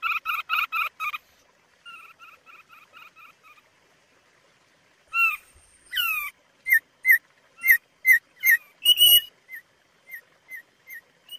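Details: Thick-billed white-eye song, used as a lure and master recording for training caged birds, a species of Sumbawa and Flores. Rapid buzzy note trains open the clip, followed by softer repeated chips, sweeping whistles, and then evenly spaced bright notes.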